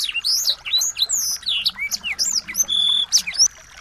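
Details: Small songbirds used as a training model to teach a white-rumped shama to sing: dense, rapid, high whistled and chirping notes with rising and falling sweeps, some buzzy trills, overlapping busily throughout.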